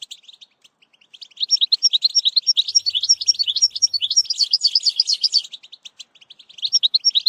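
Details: European goldfinch singing for the training of a young bird: after a quiet start, a long, continuous, fast liquid twittering with bright tinkling notes, fading near the end before resuming.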